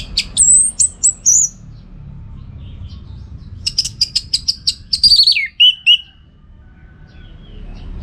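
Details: Energetic singing from an orange-headed thrush, used to train birds for song contests: a high whistled opening, then a fast series of sharp repeated clicks and a descending slurred whistle ending lower, over soft hum.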